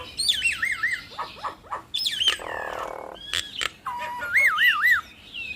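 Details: Nias hill mynas in a loud duet, used as a lure to make other mynas respond quickly: clear wavy whistles that rise and fall in loops, broken by short harsh bursts and sharp clicks.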